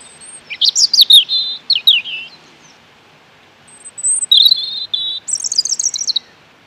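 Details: Robin song in two bouts of sweet, high-pitched notes. Descending slurred whistles are followed by a quiet pause, then a buzzy trill and a very high twittering phrase.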